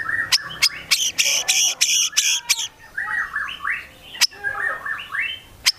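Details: White-rumped shama of the Medan type in full song, its repertoire holding mimicked cililin and cucak jenggot phrases: loud stacked chattering notes, then a run of rounded rising-falling whistles with sharp clicks between.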